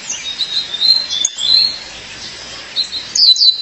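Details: Female violaceous euphonia calling to her partner, giving soft, thin high twitters and slurred whistles that end in a louder pair of sharp descending chirps.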